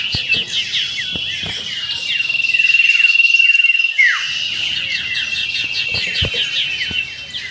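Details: A common iora in a songbird contest simulation pours out a dense, high run of whistles and rapid rattling trills, with quick sweeping notes packed several per second and no pauses.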